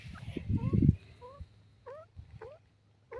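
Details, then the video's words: Male dakhni teetar (francolin) calling: soft, clear upslurred notes with harmonics, given singly and then repeated about every half second, after a burst of low rumbling handling noise at the start. "teeter sound male,teetar ke voice,dakhni teetar defferernt sounds"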